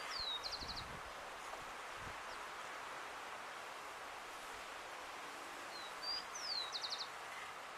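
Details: Urban rufous-collared sparrow from Uruguay giving two songs several seconds apart, each made of thin downslurred whistles followed by a rapid buzzy trill, with rustling and low background hum.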